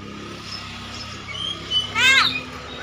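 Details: Javan myna (jalak kerbau) talking, its skill at speech noted: one brief, voice-like harmonic burst near the end, first dipping and then rising. Faint thin whistled tones come before it, over a steady low hum.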